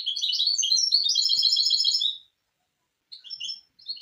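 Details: High, fast rolling trill of a misto hybrid canary, part of a tutoring recording for young birds, followed by silence and a couple of short chirped phrases.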